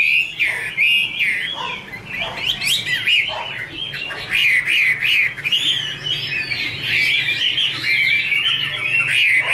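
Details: Female Chinese hwamei, with a male heard behind her, kept bird: long, rich song of varied whistles, trills and slurred notes, building into a continuous, dense warble.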